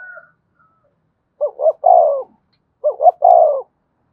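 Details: Spotted dove used as a decoy bird to rouse and train newly caught doves. It gives two coo phrases about 1.4 seconds apart, each two short rising notes followed by a longer, falling, burry coo, with quiet gaps between.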